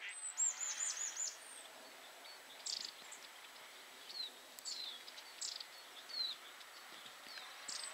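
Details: Long-tailed tit (A. c. caudatus) in central Poland gives a quick run of very high, thin see-see-see notes, then scattered short high chirps every second or so over a soft outdoor hiss.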